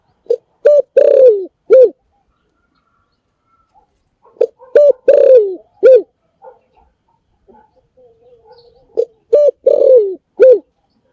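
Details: Spotted dove cooing in three repeated four-note phrases, each a short note, an even coo, a long purring downward croo and a closing coo, spaced a few seconds apart in an otherwise quiet setting.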